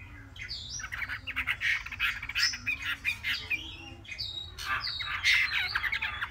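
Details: Chinese hwamei, a three-month-old caged bird, singing a busy run of harsh, squawky phrases mixed with short whistles, loud bursts coming in quick succession, with a low hum underneath.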